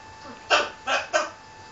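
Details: Three rough, loud syllables in quick succession, the last two about a quarter second apart, from a pet macaw arguing back at its owner indoors.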